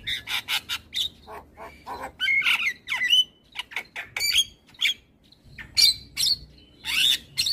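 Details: Morning song of a Javan myna (white-eyed jalak kebo), played to train and provoke other birds: clicking notes and loud grating squawks with bent whistles, in uneven bursts separated by short pauses.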